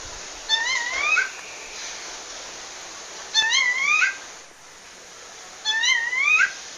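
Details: Female rufous-bellied thrush calling a male in the wild in Pernambuco, Brazil: three rising, slurred two-part whistled calls with rich overtones, spaced about three seconds apart, over steady background hiss.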